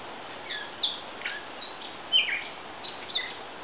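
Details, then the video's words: A Gray Catbird sings a halting jumble of short squeaky and mewing notes, each phrase different, over a steady background hiss. "Grey Catbird sings"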